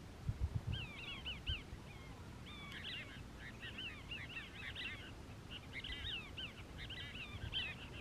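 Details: Two Cassin's Kingbirds perched on powerlines, part of a family at Crystal Cove State Park, Moro Canyon, California, on 19 December 2021: bursts of burry, down-slurred chattering notes tumbling together in quick runs, with a few low thumps early on.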